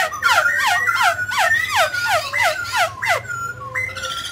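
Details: Mutant grey laughingthrush singing while dancing: a fast series of loud, clear downslurred whistles, roughly three per second, with higher overtones, ending in a few flatter notes; a faint low hum underneath.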